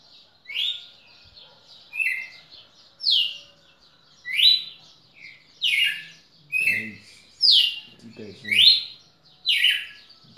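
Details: Red-cowled cardinal singing in Pernambuco on 10 December 2017: a steady series of clear, downslurred whistled notes roughly once per second, alternating higher and lower phrases, with a few low voice sounds mid-recording.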